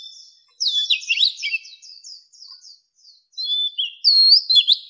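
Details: Old wild Oriental magpie-robin singing to lure wild birds: soft high twittering leading into warbled whistles, quieter repeated chirps, and a final loud, clear sweeping phrase.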